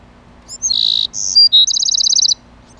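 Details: Male Bewick's wren protecting his nest: a short buzzy note, two clear high whistles, then a fast even trill of about a dozen sharp notes, all high-pitched over a quiet background.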